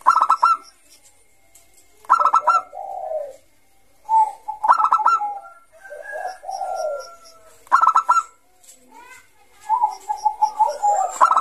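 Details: Zebra dove of Bangkok type giving repeated ngayer song phrases, a lure for young doves: four or five sharp staccato trill bursts, each followed by mellow wavering coos, with short silences between phrases.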